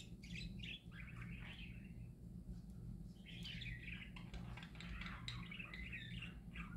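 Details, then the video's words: Happy parakeets chatter in long runs of buzzy, twittering warble with squeaky notes, one brief lull near the middle, backed by a low constant hum. "Parakeets Singing Happy Parakeets Parakeet Sounds"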